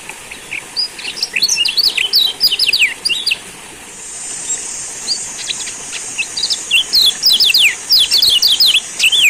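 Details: Lombok yellow white-eye (kecial kuning) singing as a lure to make silent birds sing again: rapid bursts of high, thin twittering chirps, pausing briefly midway, then resuming in quick clustered phrases over a steady high hiss.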